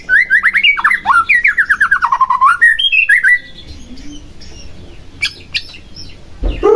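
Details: Provocation song of a white-rumped shama, meant to rouse a lazy or silent shama to sing: a rapid burst of loud chattering and sliding whistled notes for three seconds, then quiet with a few faint sharp clicks.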